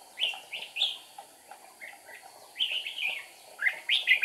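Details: Red-whiskered bulbul used as a decoy to draw wild birds into a trap, 8 April 2019: short bright whistled notes in pairs, then a longer rolling warble and sharp rising notes at the close.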